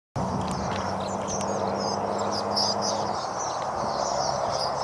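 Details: Flock of thousands of swallows: many thin, high chirps and twitters overlap continuously, partly masked by a steady low rumbling roar throughout.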